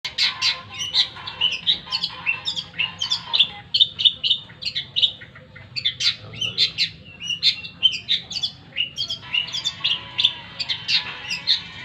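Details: Long-tailed shrike in lively, vigorous song: a dense, continuous stream of sharp chirps and short trills in quick bursts, with few pauses and no other clear sounds.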